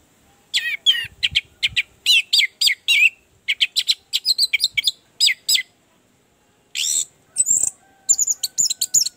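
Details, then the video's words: Orange-headed thrush lure song to stimulate a reluctant singer: long sequences of fast, varied, high chattering and whistled notes, a short pause, then more rapid high phrases. "Pancingan anis merah, agar cepat ngeplong"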